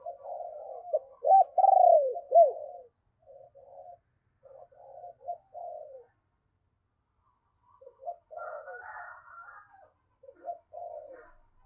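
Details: Decoy spotted dove with a deep 'thunder' voice, luring wild birds: a loud burst of wavering, throaty coos, then quieter repeated coo phrases, and later a tangle of higher chattering notes.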